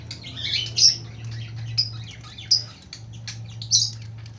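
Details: Lovebird, long ngekek song: faint busy twittering behind four sharp, piercing high chips spaced roughly a second apart, with a steady low electrical hum throughout.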